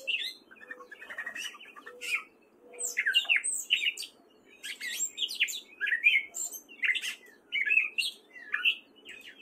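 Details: A wary male gray catbird sings in spring in Fairfield, Iowa: soft low notes open, then a lively string of varied squeaks, slurs and chatters in bursts of a couple of seconds.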